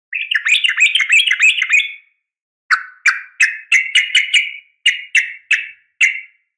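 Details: Yellow-vented bulbul female calling a male, with a sharp fighting call used to prompt bulbuls to answer. A rapid chattering run of harsh notes comes first, then after a pause a series of separate loud, harsh, descending chirps about every third of a second on clean silence.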